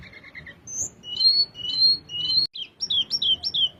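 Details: Velvet-fronted nuthatch: soft lower whistles open into clear sustained high whistled notes repeated three times, ending in a fast string of five sharp descending chirps.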